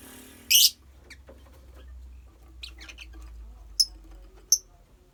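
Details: Colony of lovebirds: one harsh, broad screech early on, then faint scattered chirps and two short, piercing high chirps near the end, all over a low steady hum.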